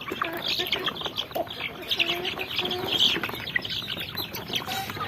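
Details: Little chickens, chicks, peeping constantly, high thin cheeping notes overlapping in a crowded flock, some lower clucky sounds mixed in.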